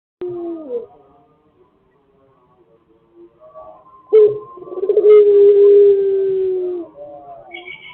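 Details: Pelung chicken crowing in a recording used to lure others to crow. A faint falling note opens, then a near silence, then a loud sustained crow of about three seconds that trembles at the start and holds a steady low pitch.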